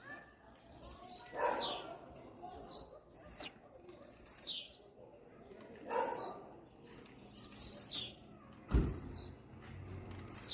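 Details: Male-style rapid singing of a blue-black grassquit directed at another bird; short high buzzy downslurred notes, often paired, repeated steadily roughly every second, with a low thump and faint voices in the background.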